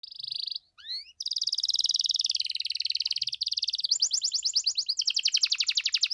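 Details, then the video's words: Canary singing a lively show song meant to provoke other canaries into answering: a brief rising whistle, then long fast rattling trills that shift pitch, ending in rapid chopped notes. "KENARI GACOR DOR CENGKOK MEWAH BIKIN KENARI LAIN LANGSUNG RESPON BUNYI GACOR"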